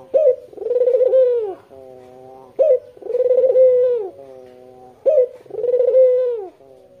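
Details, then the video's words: Three full coo phrases from a white Barbary dove with red eyes, calling to attract local doves. Each phrase opens with a clipped note and a drawn-out, vibrating coo, then trails into a quiet, even hum. Spacing is roughly two and a half seconds. "Puter putih mata merah gacor dor buat pancingan puter lokal anda"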